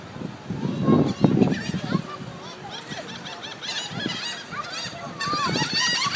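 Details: Flock of gulls being fed, human talk and bumps up front, then gulls' thin curved squeals and mews building and overlapping toward the end.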